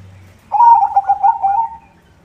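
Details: White zebra dove singing to lure other zebra doves: one brief, loud burst of quick, rolling trilled coo notes that fades at the end, with faint low hum before it.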